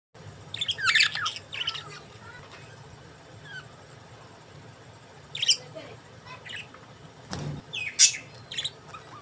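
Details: Budgerigars chirping in scattered bursts: short high chirps and warbles around two seconds in, again near five and a half, and a loud squawk near eight seconds, with quiet low hum between calls.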